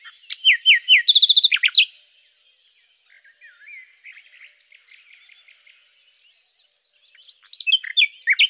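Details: Common nightingale, Luscinia megarhynchos, singing: loud bursts of rapid repeated notes, a fast buzzy trill and downslurred whistles, a quiet stretch of soft distant twittering, then another loud phrase of sharp varied notes.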